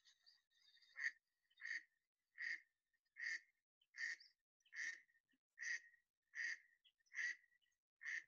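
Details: A mallard (Anas platyrhynchos) gives a series of about ten loud, nasal quacks, roughly one every three-quarters of a second, steady and evenly spaced.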